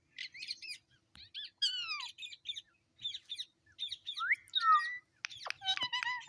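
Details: Talking pet parrot saying its name: rapid chattering, speech-like syllables with bright harmonics, several downward-sweeping notes and a couple of sharp upward squeaks near the end, in short runs with brief gaps.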